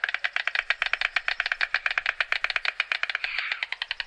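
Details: A White stork (Ciconia ciconia), an adult, clatters its bill in a fast, dry wooden rattle of about ten knocks a second, briefly softening into a rustle before resuming.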